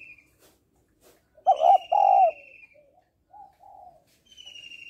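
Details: Female spotted dove calling to stir males, giving two loud coos followed by softer short notes, while a high, thin whistled tone comes and goes.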